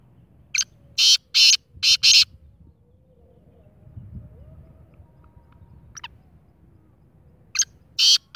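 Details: Black francolin calling twice: a phrase of five rasping, grating bursts delivered in quick rhythm, a long quiet gap, then the phrase begins again.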